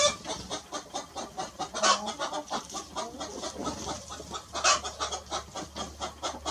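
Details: Hen clucking in a farmyard: a steady string of short, dry clucks repeated several times a second, with a couple of louder, harsher notes standing out, amid a busy background of other poultry.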